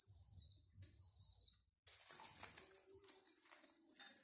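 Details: Hand-fed homing pigeon squabs, rescued without parents from a mosque minaret under restoration, give thin piping squeals in two drawn-out bursts, the first over a low rumble, then a brief silence and a longer wavering squeal with soft lower murmurs.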